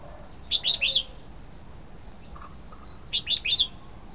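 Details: Red-whiskered bulbul calling: two bright, quick chirping phrases of three to four high notes each, about 2.5 seconds apart, with faint lower notes between them against a quiet background.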